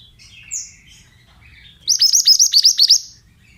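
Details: Pied bushchat 'bahan' song, a male's, used to get birds to respond: soft scattered twitters, then a loud, fast string of about nine high, clipped chirps.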